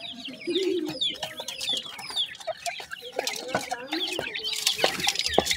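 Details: Grey francolin chicks uttering thin high peeps and short slurred whistles in a busy overlapping stream, with occasional sharp clicks and a brief burst of broadband rustle near the end.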